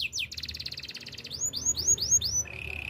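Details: Canary singing for training: brief downward slurs, a fast pulsing buzzy roll, then five clear rising-and-falling whistled notes in quick succession, ending in a soft rattling trill.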